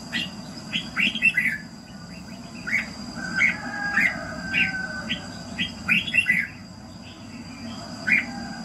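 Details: Morning song of a red-whiskered bulbul for voice training: short, sharp chirped notes scattered across several seconds in loose clusters, with a faint steady high whine and low background rumble.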